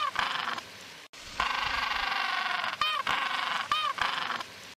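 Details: Penguin calling with loud, harsh, honking brays rich in harmonics, broken by short wavering yelps. There is a sharp cut after the first second, then continuous braying.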